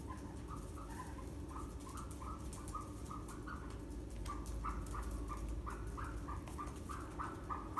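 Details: Ostrich chicks kept on a farm in northern Saitama Prefecture, Japan, recorded 7 May 2020: short, clipped mid-pitched peeps repeated rapidly in uneven runs over a steady low rumble of background noise.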